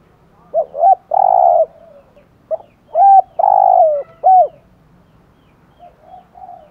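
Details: Spotted dove giving thổ-style coos meant to stir other doves into cooing: a short note, then paired hooting notes and a long, rolling coo, repeated twice in quick succession, followed by faint, softer coos.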